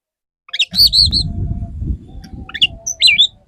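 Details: Courting male Oriental magpie-robin serenading a female: high rippling whistles and chirped phrases repeated over a steady low rumble and a faint humming tone.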